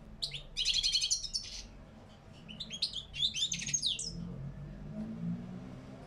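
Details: Wild-style song of a caged European goldfinch (parva) with batbata and sitsita elements: a bright rattling trill opens, followed by varied jingling, buzzy twitters, then fading to soft room noise.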